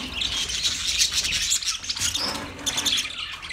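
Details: Chirping from twenty pairs of budgerigars, heard as a thick wash of high, raspy chatter and short squeaky whistles without pause.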